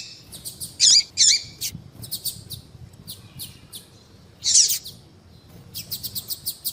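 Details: Calls of a female double-collared seedeater, meant to make a male sing: rapid series of thin, high ticks alternating with louder, rasping chirps, irregularly spaced, against a soft background hum.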